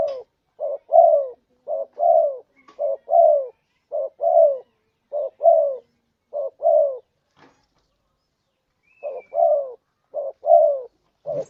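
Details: Spotted dove lure calls to provoke a rival: a long run of short-then-long coo pairs, the longer note falling and buzzy, about one pair per second, a pause of a second or so, then the run resumes.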